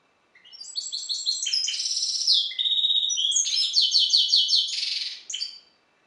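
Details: European goldfinch hybrid from an ornamental bird breeder, performing Balkan goldfinch style song: a fast, unbroken run of high, tinkling repeated syllables and brief whistles, with a buzzy trill near the end, in a quiet room.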